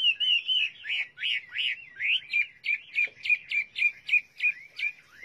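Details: Song of a Chinese hwamei: a few sliding whistled phrases give way to a fast series of short, sharp repeated notes, roughly three a second, loud and clear.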